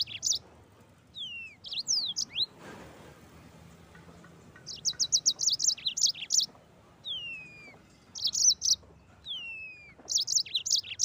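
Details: Rolling 'ngeroll' song of an actively singing Mozambique canary: high descending whistles mixed with fast bursts of sharp chirps and trills, repeated in phrases throughout, with a brief rustle early on.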